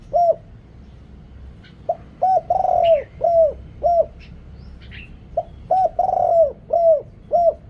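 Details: Decoy spotted dove with a big voice luring wild doves, with background noise removed: repeated phrases of deep, hollow, arched coos, each holding one long middle note, with scattered thin high chirps.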